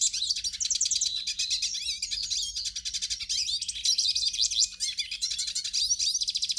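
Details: Captive-training song of a hooded siskin, meant to get a caged bird singing: an unbroken stream of rapid high twitters, metallic trills and short slurred whistles throughout.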